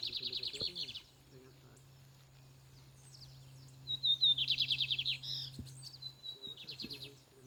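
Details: Fiery Lined seedeater singing at a contest: two bursts of rapid buzzy trilled notes in a high register, separated by a pause of a few seconds, with a thin whistled lead-in.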